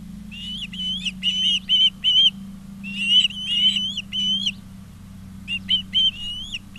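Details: Osprey calling at its nest in Charlo, Montana, 20 August 2023, 16:04, from a live nest camera: three bursts of rapid, clear whistled chirps, gently rising and falling, separated by short pauses, with a low constant hum beneath.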